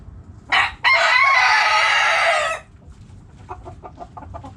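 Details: Rooster among backyard hens: a short note, then a loud raspy crow held about two seconds, followed by a rapid series of soft hen clucks.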